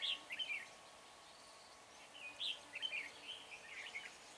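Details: Red-whiskered bulbul used as a decoy calling wild birds for trapping at Chùa Hương on 24 March, giving quick chirpy, warbling phrases with rising and falling whistled notes, then a pause before more.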